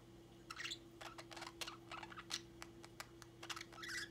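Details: A pet flock of budgerigars chatter together in quick clicks, chirps and short warbling notes over a low electrical hum.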